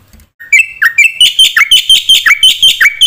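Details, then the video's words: Black-winged myna singing a lure song meant to provoke other mynas; after a quiet start with two short rising whistles, loud harsh chattering notes repeat about three times a second, each dipping then rising sharply. "pancingna suara jalak putih gacor full isian"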